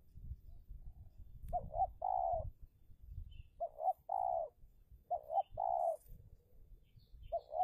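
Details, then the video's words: In Indonesia a decoy spotted dove contests with wild doves over territory, giving repeated cooing phrases of two short coos and one longer coo, several in a row, over low rumbling background noise and faint chirps. "Pikat Tekukur (Take down Tekukur Liar)"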